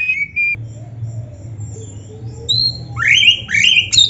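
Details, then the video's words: Oriental magpie-robin (kacer), played to stir quiet caged birds; a flat whistle, pause, a thin high note, then rising upswept whistled phrases at the end over a steady low hum. "TERAPI KACER GACOR DONGKRAK BIRAHI DAN EMOSI BUAT KACER MALAS BUNYI"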